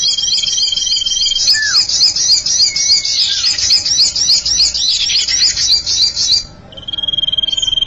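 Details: Lure sound of the common iora for attracting birds: rapid, rattling high trills pulsing steadily, with a few slurred notes mixed in, ending in a thin, level whistle.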